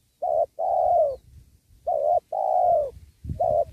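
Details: Spotted dove acting as a caller for trapping wild doves by a sacred tree. Repeated two-part coos, a brief note followed by a drawn-out falling coo, with low knocking between phrases.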